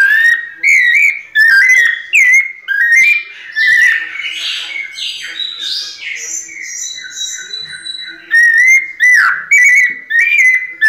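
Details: A breeder's captive white-necked thrush sings a pianado-style song: loud, clear, fluted whistled phrases with rising and falling slides and quick warbled flourishes, broken by short pauses. A softer twittering section comes in the middle.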